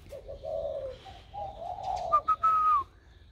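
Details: Spotted dove recorded 16 February 2020, its coo newly turned warm in tone: low hooting notes, then a brief run of higher clear notes ending in a drawn-out whistled tone, in a quiet setting.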